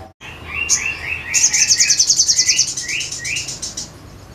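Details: Crested jay singing vigorously: a fast, dry, high rattle of about fifteen ticks a second lasting over two seconds, along with a series of short rising whistled notes repeated roughly every half second.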